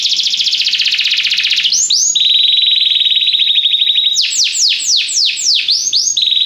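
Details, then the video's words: Belgian canary in song training: a fast rattling trill, a steady buzzy trill on one pitch, then a burst of loud sweeping slurred notes and a last short trill. "canário belga cantando mais espectacular! treinamento canario belga"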